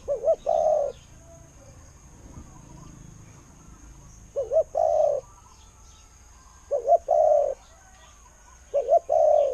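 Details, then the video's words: Decoy spotted dove singing in the 'koo-ang' style: four phrases, roughly every two seconds. Each has a pair of quick notes and then a sustained, soft, low-pitched coo, with faint background hiss. "เสียงนกเขาใหญ่ เจ้า 800 คูอ่าง เสียงดี ต่อเข้าหมาน"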